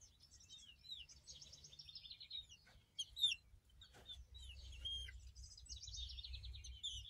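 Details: Two young chicks of unknown breed, hatched 3 May 2023, recorded 24 July 2023; high thin peeps that slide downward, given in short bursts with brief pauses, over a soft low background hum.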